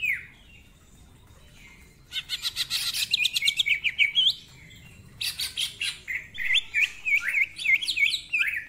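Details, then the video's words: Greater green leafbird, a lively singing bird offered as a master recording for training, delivers rapid buzzy trills followed by a fast series of sharp, hooked whistled notes repeated several times a second, after a quiet opening. "Cucak Ijo Gacor Ngentrok Full Isian, Nembak Rapet Suara Kasar Isian Mewah"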